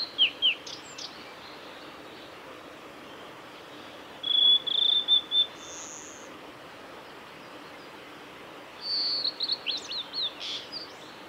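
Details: A male blue-and-white flycatcher is recorded on the Kanazawa forest road at Lake Miyagase on 17 May 2020. It sings three separated phrases of high, clear whistles and quick flicking notes over gentle steady background hiss.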